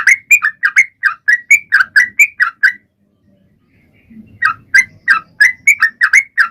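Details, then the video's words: Sooty-headed bulbul singing steadily to coax other birds into song: a rapid run of short, mellow, whistled double notes, then a pause with faint low rumbling before the phrases resume. "Trucuan gacor!!mancing burung lain ikut bunyi"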